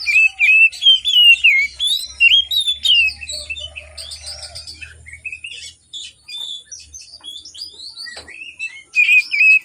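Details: Oriental magpie-robin in morning song, played to coax reluctant birds into singing: dense run of varied whistles, trills and chattering notes with few breaks, over a low steady hum.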